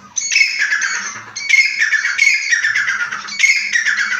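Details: Grey francolin calling: loud, harsh, strongly harmonic notes in repeated rising bursts roughly once a second, with a faint low rumble of background noise.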